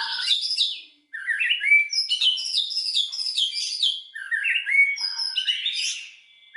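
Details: White-rumped shama song used as a lure to provoke other shamas into full song: rich varied phrases of whistled, warbled notes sliding between mid and high pitch, with one brief pause.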